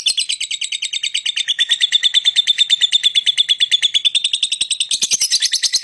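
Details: Lovebird singing and chirping: a sustained, rapid stream of shrill, buzzy, rhythmically pulsing chatter, steady throughout and rising into harsher, higher bursts near the end.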